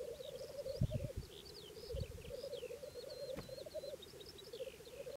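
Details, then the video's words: Black grouse in April 2011 give a steady, low, rapidly pulsing bubbling murmur, with high thin whistles of other birds above and a few dull low thumps. "Black Grouse"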